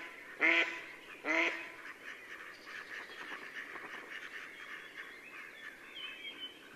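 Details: Female mallard at sunset on 8 April 2015 near Yelno, Novgorod oblast, Russia, during spring courtship: two loud nasal quacks close together, followed by faint distant twittering from other birds.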